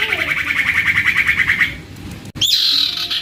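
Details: Juvenile common iora, a collection bird in full song, used to coax other iora into singing: a long, evenly pulsed rattling trill, then, after a brief gap, a high downward-swept note leading into a sustained buzzy tone.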